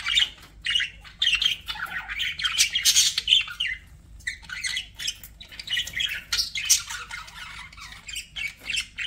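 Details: Pet budgies chatter in scratchy warbles and sharp squawks, a dense run of calls followed by a brief pause and then more clipped chirps.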